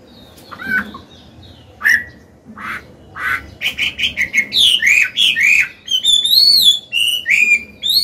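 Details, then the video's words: Old Chinese hwamei with a forest-style voice, song meant for training caged birds; scattered single whistles open, then builds into quick, looping rising-and-falling whistled phrases that grow louder and faster. "Họa mi già giọng cực hay, luyện bổi, kích trống hót hay"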